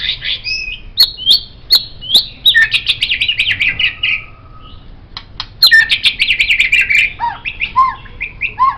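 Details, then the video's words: White-rumped shama, a songbird master recording, singing rapid trilled phrases and sharp clicks, with a held low whistle and lower fluty notes near the end. "MURAI BATU Ini Sangat Cocok Dijadikan Masteran Burung Kicau"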